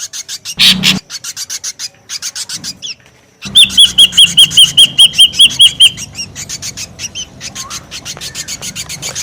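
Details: Lure sound of a noisy ashy drongo: rapid raspy pulses, a loud harsh burst, then a clean string of about ten ringing whistled notes in steady rhythm over busy chatter.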